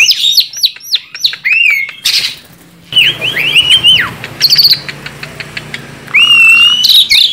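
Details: Tame Asian pied starling singing as a lure for young birds: a quick series of downslurred chirps, a noisy burst, varied whistles and rasps, ending in a drawn-out rising whistle.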